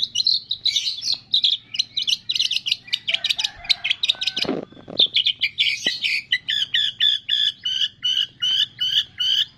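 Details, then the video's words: Training song of a long-tailed shrike, stuffed with imitations of cililin, fighting sparrow, lovebird, tengkek and kapas tembak. Dense jumbled chattering phrases, a brief harsh rasp near the middle, then a steady string of bright, repeated chirps. "MASTERAN CENDET ISIAN CILILIN, GREJA TARUNG, LOVE BIRD, TENGKEK, KAPAS TEMBAK"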